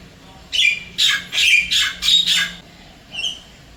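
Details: Javan myna, wild, at a Singapore apartment calling its mate: a series of coarse, loud squawks, then a softer whistled note, with a faint low hum behind.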